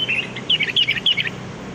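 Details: Wild kutilang, sooty-headed bulbul, lure song: a quick series of four bubbly whistled phrases, each rolling and slightly descending, delivered in under two seconds.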